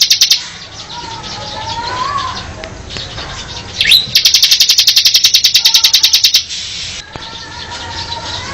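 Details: Mountain cemblek bird giving a fast, even, buzzy rattle of rapid pulses lasting over two seconds, opened by one rising chirp, with faint low whistles from other birds in the background.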